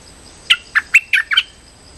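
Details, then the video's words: Lure call of a Streak-eared bulbul for trapping: five rapid, slightly buzzy chirps stepping up and down in pitch within a second. "Suara pikat merbah lekir gacor"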